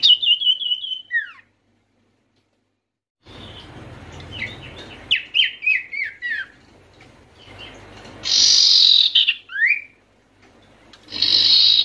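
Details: Oriental white-eye (sirtu) calls used to coax quiet or stressed birds to sing: a high trill and falling slur, a silent gap, a series of stepped descending chirps, then loud hissy bursts.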